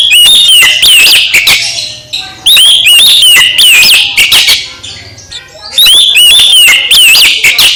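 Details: Oriental magpie-robin song, played to rouse a sulking magpie-robin into lively singing: loud, clear whistled phrases with rising and falling slurs, in bursts of about two seconds separated by short pauses, with sharp clicking notes between them.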